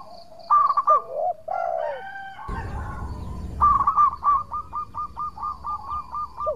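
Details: Local zebra dove in full song, played as a lure for rival doves: rolling coos and a longer smooth note, a short burst of rustling noise, then a steady string of clipped cooing notes repeated about twice a second.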